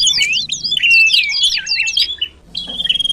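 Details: Common iora (sirtu cipoh) lure call used to attract birds closer: a fast tangle of looping twitters, a short gap, then a clear sustained whistle.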